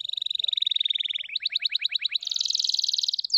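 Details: Canary delivering a continuous song: a steady rapid trill, a series of sharp descending notes, then a dense buzzy roll ending in a falling sweep.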